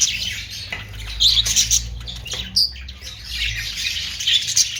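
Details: Budgerigar chatter, known locally as Australian parrot sound: a continuous high, scratchy warbling with louder squeaky chirps popping out now and then over a faint low hum.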